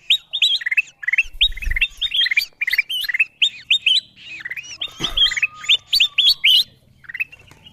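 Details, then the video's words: Kutilang emas bulbul lure calls for attracting wild birds: fast series of bright, hooked chirping whistles, with a thud and a steady faint tone midway before the calls fade to a final note. "Suara pikat kutilang emas memanggil burung liar paling ampuh dan paling di cari"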